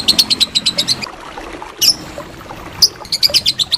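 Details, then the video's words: Lovebird giving its long ngekek chatter, a recording used as training material for contest birds: rapid series of sharp, bright chirping notes, about six per second, broken by a brief pause before the chatter resumes. "Masteran Lovebird Ngekek Panjang"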